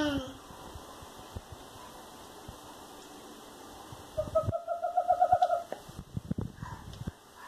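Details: Western screech-owl (Megascops kennicottii) giving a short run of hollow, mellow toots that speed up toward the end, with knocks, rustling and a brief human voice.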